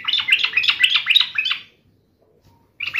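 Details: Agitated sooty-headed bulbul in fighting mode delivering a rapid chattering string of about a dozen bubbly notes, a short silence, then a fresh burst begins.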